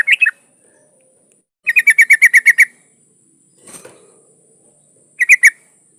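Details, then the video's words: Yellow-vented bulbul, a breeding female calling to a male. A short three-note chatter comes first, then a steady burst of about nine harsh notes. A faint rustle follows before a final two-note chatter. "trucuk betina memanggil jantan"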